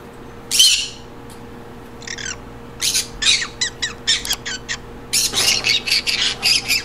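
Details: Green conure calling indoors: a loud opening screech, a pause, then bursts of short grating squawks that build into a fast, choppy run of harsh notes near the end.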